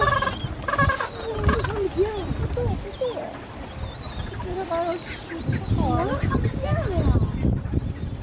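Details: Gentoo penguin chicks on the Antarctic Peninsula chase their parents for food, begging with shrill, wavering, squeaky calls that rise and fall in quick overlapping bursts, over a steady low rumble of wind.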